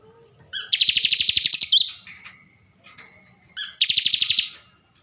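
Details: Caged bar-winged prinia from Tegal, Central Java: two trilled phrases three seconds apart, each a high sharp note then a rapid pulsed buzz ending in a brief whistle.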